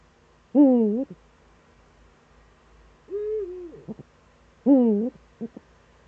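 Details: Eurasian eagle-owl in the Eifel on a September 2013 morning: two loud, wavy, harmonic hoots about four seconds apart, with a smoother, lower-toned drawn-out call between them and a few soft clicks.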